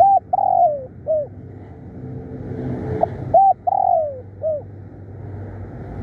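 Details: Spotted dove decoy, calling hard and often: two phrases of a short coo, a long descending coo and a closing short coo, with faint engine-like hum between.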